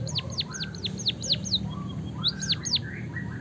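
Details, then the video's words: White-headed munia giving canary-style song: quick descending whistled sweeps in uneven runs, a pause, then two more sweeps, with softer rising whistles underneath and constant low rumble. "burung pipit bondol haji gacor suara ngeroll isian kenari"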